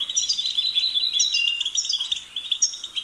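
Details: European goldfinch singing a rapid, continuous twitter of high tinkling notes and short trills, with brief buzzy phrases mixed in and no pauses.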